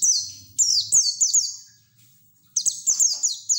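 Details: White-eye singing in the rapid 'ngeriwik' style, called 'teler' and 'ngalas', used to coax untrained white-eyes to open their beaks and sing; high, thin descending slurred notes in quick bursts, a pause, then another run of falling chips.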